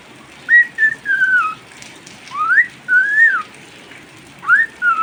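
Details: During rain a pet cockatiel whistles a melody of sliding notes: steady tones, a rising sweep, and a long falling phrase, with faint background patter.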